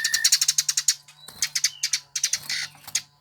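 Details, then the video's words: Eurasian tree sparrow, a bird sought after by Indonesian songbird enthusiasts, gives three bursts of fast, high, dry chirps, about ten per second, separated by short pauses, over a faint steady low hum. "Burung Gereja yang Banyak dicari Kicau Mania"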